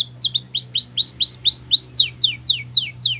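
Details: Young-canary training song: a clear, evenly spaced series of about a dozen whistled notes, first rising-then-falling slurs, then steeper downward sweeps, roughly four per second, over a low steady hum.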